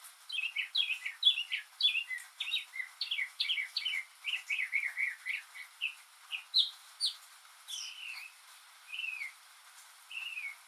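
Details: A lone male northern mockingbird sings on a rainy day, copying other birds and sounds: a fast run of varied chirped, slurred notes that then slows into spaced, sweeping whistled phrases over soft steady hiss.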